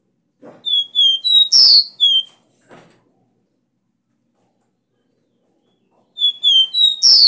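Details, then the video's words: Caged-bird training song of the caboclinho, or copper seedeater, in its 'Dó Ré Mi' strong style: two phrases of pure high whistles, three or four notes each, sliding slightly and closing on a loud harsh burst, separated by silence. "CANTO DO CABOCLINHO VERDADEIRO - DÓ RÉ MI"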